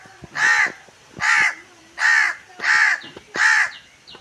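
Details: A crow calling to gather its flock: five harsh, loud caws spaced under a second apart, with faint background noise between them.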